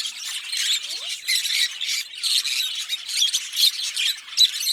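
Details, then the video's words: Green Fischer's lovebird pair singing and chirping: dense, continuous run of harsh, high chirps and squeaky notes in rapid overlapping bursts, with short dips between phrases. "Lovebird Singing & Chirping Sounds - Green Fischer Pair"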